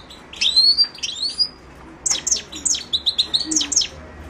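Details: A Himalayan goldfinch, Carduelis caniceps, gives two rising whistled slurs, then a quick series of sharp descending chips repeated about six times in a row.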